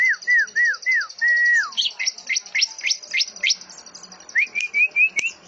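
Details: Greater green leafbird (cucak ijo) song mixing canary, cililin and lovebird-like phrases: four downslurred whistles and a longer falling one, a run of sharp high notes, then short rising whistles, over a steady faint high trill.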